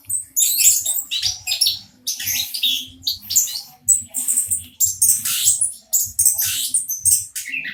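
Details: Orange-headed thrush of a local variety singing loudly and close: a dense stream of varied bright, high chirps and rapid twittering phrases in bursts under a second long, separated by brief pauses, with faint low background hum.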